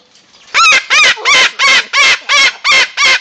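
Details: White cockatoo in Hilo, Hawaii, screaming loud and going crazy: eight harsh, raucous screeches in a steady series about every third of a second, each broad and grating with a rising-falling core.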